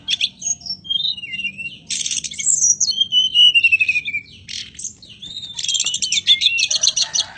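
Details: Mountain robin (Petroica bivittata), song.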